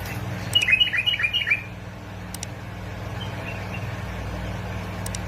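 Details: Bulbul of Basra and Fao in Iraq, a recording meant to prompt bulbuls into song: one rapid phrase of bouncing chirped notes lasting about a second, followed by quiet, with a constant low mechanical hum throughout.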